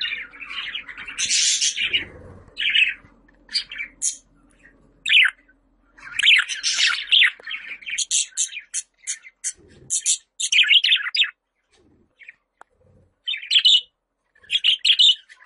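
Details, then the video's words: Budgerigar call sound used to lure pet budgies: a long stream of varied chirps, squeaks and rasping notes in uneven bursts, with brief silent pauses. "Muhabbet Kuşu Sesi, kuş sesleri, muhabbet kuşu çağırma sesi!"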